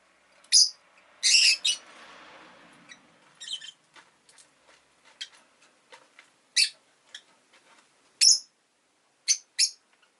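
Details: Rosy-faced lovebird (Agapornis roseicollis) giving loud, sharp, shrill chirps in short bursts, some doubled, spaced irregularly over ten seconds with brief quiet gaps; faint soft background hiss of town noise between calls.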